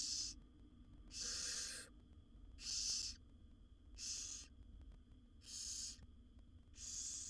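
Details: Seven wild barn owl chicks in a nest box beg while the mother brings food, giving six loud, rough, snoring hisses spaced about a second apart with short quiet gaps between.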